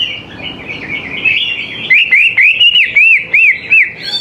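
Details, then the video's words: Greater green leafbird lure song aimed at getting young birds to join in. Soft, jumbled warbling builds into a run of bright, arched whistled notes, about eight in quick, regular succession. "CUCAK IJO GCOR SANGAT AMPUH BUAT PANCINGAN CUCAK IJO MUDA BAHAN LANGSUNG NYAUT IKUT GACOR"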